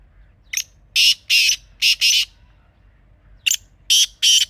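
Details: Black francolin (kala teetar) recorded wild in Pakistan, giving its call twice: each phrase is a short lead note followed by harsh, scratchy paired bursts, with a pause of about a second and a half between phrases.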